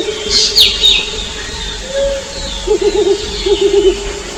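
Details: A courting Mottled Wood Owl at night in the forest, reacting to a female's response as the pair signal their locations to each other: low, quavering chattering notes in two quick bursts after a single rising hoot; brief high chirps from another bird early.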